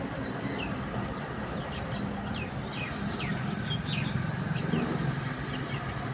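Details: Myna birds fighting with each other in the middle of a street, giving short downward-sliding chirps in a quick irregular series over a steady low rumble of traffic.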